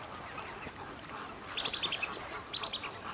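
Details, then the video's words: Australian wood duck at WWT Slimbridge giving quick runs of short, high, nasal notes, about six in the first burst and a briefer second burst, over a steady background hiss. "Australian Wood Duck"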